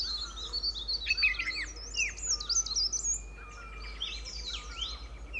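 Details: Two White-cheeked Bulbuls sitting together on a shrub in a sanctuary at Pari Tibba, Motidhar, call repeatedly: bright, bubbly chirps and quick slurred whistles tumble over one another in rapid irregular runs, while a Hill Barbet keeps calling in the background.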